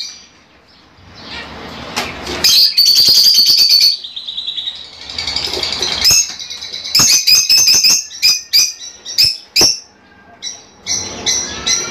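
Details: Fischer's lovebirds in vigorous song meant to stimulate mating: a long buzzy squeaking stretch, then a rapid series of sharp clicking chirps and high twitters.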